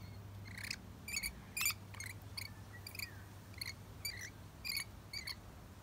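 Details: Rainbow lorikeet feeding on nectar in a red flowering gum in Melbourne in January, summer: a run of sharp, screechy chirps, about ten bursts in six seconds, given in quick pairs over a steady low hum.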